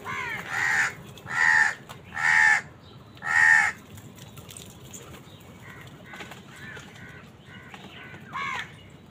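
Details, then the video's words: Crows fighting wild birds for food: four loud, harsh caws in quick succession, about one a second, then a run of fainter, scattered caws in the background. "Crow bird crowing sound | Crows fight with wild birds for food"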